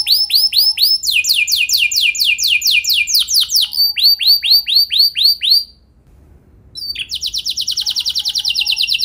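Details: Canary singing, used as a lure to prompt other canaries: repeated rising whistles, a fast falling trill, more upswept notes, a short pause, then a dense high trill.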